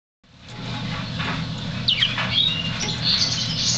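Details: African Yellow Canary (Serinus flaviventris) giving quick, high twittering chirps and short sweet trills over a steady low hum.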